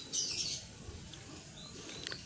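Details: A Sogon giras, a bird being tamed, gives a harsh, high chattering burst lasting half a second, then a brief thin high note and faint clicks over a low background rumble.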